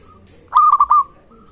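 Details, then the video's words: Zebra dove, local type, singing to prompt rivals to call: one compact phrase of four rolling coo notes, the first long and the rest short and clipped, ending in a brief trailing coo. "perkutut Lokal gacor suara ini sangat cocok untuk masteran pancingan semua jenis burung perkutut"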